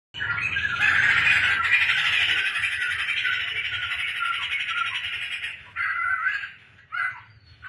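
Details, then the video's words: Tame, actively singing laughingthrush kept at home, pouring out a loud, dense run of harsh chattering and squealing notes for about five seconds, then breaking into shorter bursts, over a low steady hum. "burung poksai teman kopi penyejuk hati | poksai gacor bikin ramai rumah | poksai lulut dan gacor"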